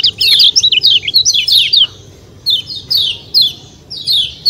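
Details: White-eye singing, kept to encourage other birds to sing: rapid, high twittering chirps in dense bursts, sliding downward, with a dense run first, then shorter spaced phrases, over a faint low hum.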